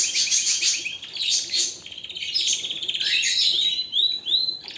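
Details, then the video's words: Canary pouring out strong, continuous high song, rapid buzzy trills running together, ending with a pair of clear upward-sweeping whistles. "اقوى تغريد طائر الكناري"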